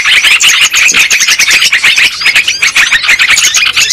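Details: Flock of yellow-vented bulbuls from a lure recording meant to draw birds in for trapping: busy, overlapping chatter of sharp chirps and short squeaky whistles, unbroken throughout, with no other sounds standing out.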